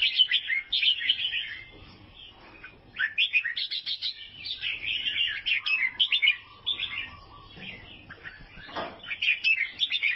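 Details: Albino sooty-headed bulbul from Vietnam chirping in dense bursts of quick, slurred twittering notes, with short pauses between phrases and a steady lower whistled tone held for about a second near the middle.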